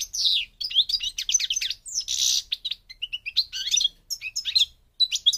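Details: Goldfinch singing in the North African Parva Morocco style, a dense, energetic stream of high twitters, quick chirps and a nasal buzzy burst near the middle, ending in scattered sharp notes after a short gap.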